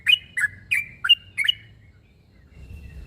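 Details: Sooty-headed bulbul calling a rival: five quick bubbly chirps in under two seconds, then quiet with a faint thin tone and low background rumble.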